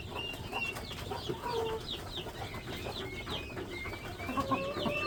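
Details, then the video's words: Many chicks in a poultry farm giving thin, high, quick chirps and a few short whistled notes, softer and more scattered, over a steady low background noise. "Chicken farming | Chicks"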